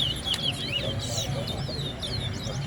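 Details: Towa towa birds in a B class singing competition at Lusignan, Guyana: rapid, overlapping high whistled notes and slurred trills over steady low background noise.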